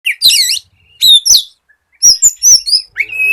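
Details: Captive white-rumped shama in full song, used as a lure to get other shamas singing: loud, high whistled phrases with sweeping rising and falling notes and sharp chips, separated by short silences.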